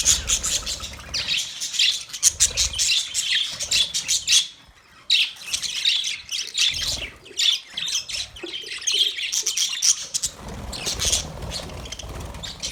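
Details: Several male budgerigars keep up a continuous high, scratchy warbling chatter of chirps and squawks, broken by one short silence near the middle.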